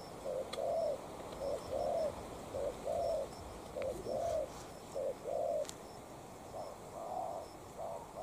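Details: Spotted dove decoy in a contest with a wild dove: a steady series of low coos in short-long pairs, roughly once a second, with occasional clicks and faint distant chirping.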